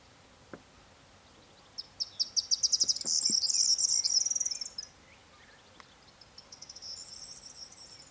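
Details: Corn bunting: a clear song of accelerating clicks that merges into a dense, jangling rattle for about three seconds. Scattered low thuds are heard, then a fainter second high trill follows.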